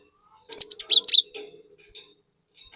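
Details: Lure song of a cinereous tit: one quick phrase of four or five bright, sharp high notes falling slightly in pitch, then quiet with a faint low hum.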